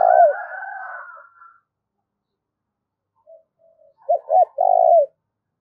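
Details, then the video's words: Decoy spotted dove calling to lure wild doves: the tail of a long burry coo, a pause, then two short hooked notes followed by a drawn-out rolling coo. No other sounds. "tiếng chim cu gáy mồi gáy gọi chuẩn kích bổi hiệu quả"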